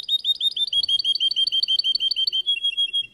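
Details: Russian canary singing in competition, a dense continuous trill of rapid bright notes ending in smoother warbles, with a low murmur of voices in the background.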